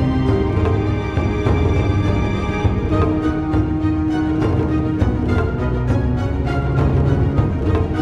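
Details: Loud dramatic instrumental music with sustained tones and rhythmic beats fills the recording, with no animal calls audible.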